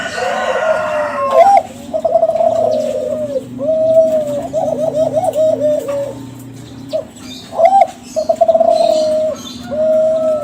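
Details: Young Kelantan spotted dove of champion contest stock, singing as a lure to set other doves calling: a series of mid-pitched coos, some rippling and trilled, some long and level, with brief pauses between phrases.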